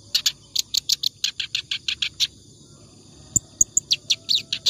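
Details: Continuous ngacor song of a clamorous reed warbler, used as a tutor for other birds: fast, scratchy chattering notes, a brief break with a few thin high ticks, then the rapid chatter resumes.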